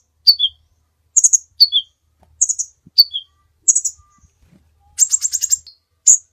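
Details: Kolibri ninja sunbird song for training other birds: paired descending chips alternate with burry high notes, then a rapid rattling trill near the end. Faint low knocks are audible underneath.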